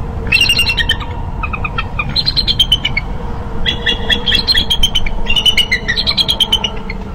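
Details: Bald eagle pair at the nest on 13 March in Minnesota, the female returning and the two calling as she nudges the male off the eggs; high thin twittering chatter in bursts over steady wind rumble.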